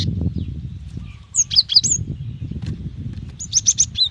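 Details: Female cinereous tit calling a male: a fast run of high, bright chirps, a short pause, then another quick burst of four sharp notes, over steady low background rumble.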